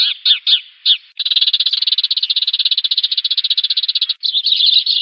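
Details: Sparrow decoy call for luring a flock into a trap: a few short, sharp chirps, then a long dry rattling trill of rapid even pulses, ending in more chirps; clean and close with no background.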